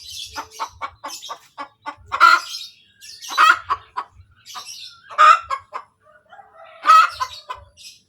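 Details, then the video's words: Hen's cackle following egg laying: a quick series of clipped clucks, then loud hoarse squawks about every one and a half seconds, each followed by quieter clucking, with light higher chirping behind. "SUARA AYAM SETELAH BERTELUR | AYAM BERKOTEK | AYAM BETINA BERTELUR"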